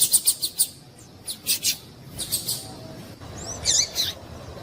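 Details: Calling female yellow-bellied seedeater, meant to stimulate males: quick runs of high clipped chirps, a few in a row, then a brief curved, slurred note among the chips.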